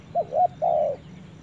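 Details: Spotted dove taken to a forest gives a brief low call: a short quick double note, then a longer, smooth, slightly falling coo, over quiet background.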